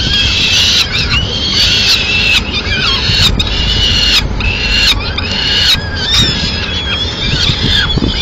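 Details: In Madrid on 30 April 2016, a female Peregrine falcon arrives carrying remains of a pigeon; insistent, whining calls with rising and falling harmonic pitch, repeated in short bursts with brief breaks, against a noisy background.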